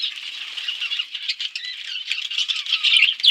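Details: Outdoor aviary budgerigars eating seed amid forest; steady, fast, rattling twitter of many overlapping voices, with soft slurred whistles toward the end.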